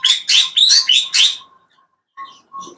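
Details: A quail, identified as a 'puyuh gonggong', in an open-roofed aviary in the early morning gives five quick, scratchy bursts with short rising whistles inside, within about a second and a half, followed by a few faint chips.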